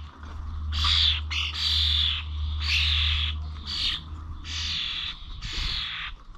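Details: Common starlings at the Corby Old Village bird feeders, 21 November, uttering a run of loud, grating squawks about once a second, with a steady low engine-like rumble beneath for most of the recording.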